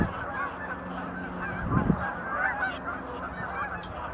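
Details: Sandhill cranes at Montezuma National Wildlife Refuge visitor center in November 2020, some making display leaps; many birds give overlapping rolling, trilled calls in a dense chorus, with a steady low hum and a brief low thump.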